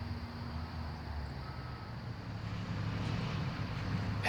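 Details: Low engine drone like passing traffic or an aircraft rumbles throughout, ending in a sharp click, with no animal call.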